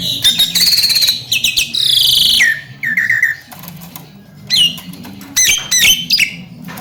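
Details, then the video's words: Talkative Javan myna, described as a future contest champion that can speak, delivering loud rasping squawks, buzzy stretched notes and clipped whistled chirps in uneven bursts, with a constant low droning hum underneath. "BURUNG JALAK KEBO CALON JUWARA || CERWET DAN BISA NGOMONG"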